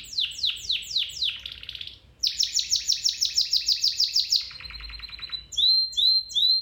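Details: Training song of a domestic canary, beginning with sweeping downslurred notes, moving into a buzzy trill, then a long run of quick bright chirps, a lower rattle and closing rising whistles.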